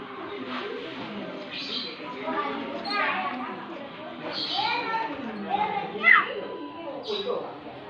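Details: Talking Javan myna chattily calls "mama", imitating human speech in short voice-like phrases with a few sharp whistled notes, over a busy indoor background of voices.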